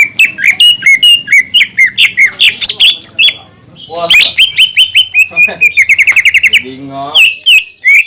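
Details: Greater green leafbird song, a caged bird recording used to provoke other leafbirds into singing. Rapid runs of sharp chirped notes near the top of the range, then a dense burst of quick repeated trills and buzzy tones.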